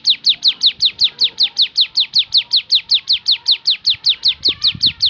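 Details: Javan sunbird singing a 'tembakan' variation: a fast, very even series of high, sharp, down-slurred notes, nearly three per second, with faint low background noise.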